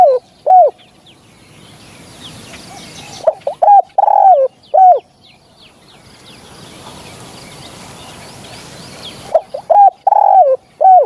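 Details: Dove calls used as a hunting lure: short, mellow coo phrases in two bursts separated by several seconds of background hiss, each burst holding four or five clipped, slightly wavering notes.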